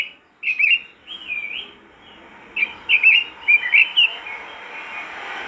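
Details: Robin singing to get other robins to sing: sweet warbled whistled phrases with quick slurred notes, a pause, then a livelier run of bubbling twitters over faint steady background hiss.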